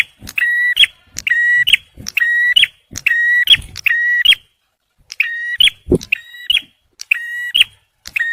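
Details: Male bar-winged prinia, a recording used to lure birds and prompt stressed ones. Loud, fast, repeated phrases of a held, ringing tone, each ending in a sharp, high snap. There is a brief pause midway, then a single thud.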